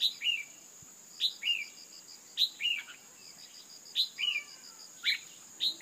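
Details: Female red-whiskered bulbul calling to rouse males: crisp two-part chirps, a high stab then a lower falling slur, repeated regularly about every second, with a shrill insect drone and a pulsed trill underneath.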